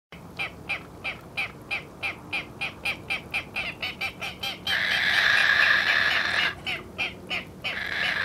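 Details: Little blue heron in Santa Catarina, Brazil, giving a fast, steady run of hoarse, nasal croaks, about four per second, broken by a burst of rushing noise.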